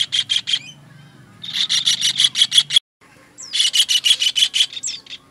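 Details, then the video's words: Kingfisher master recording for songbird training, with loud runs of rapid, clipped high notes at roughly three per second, broken by a brief silence, then resuming with a few thin upward-sweeping whistles. "MASTERAN TENGKEK UDANG"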